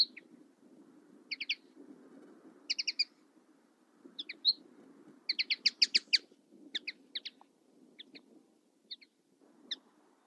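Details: Twittering song of a Common linnet: clusters of sharp, high chirps and buzzy doubled notes that build to a dense rattling burst, then thin out, against a quiet low background rumble.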